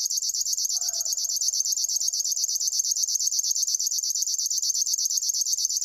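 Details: Continuous mechanical reeling from a river warbler, a high buzzy pulse train repeated at a steady, rapid beat throughout, with a soft lower hum appearing briefly early on.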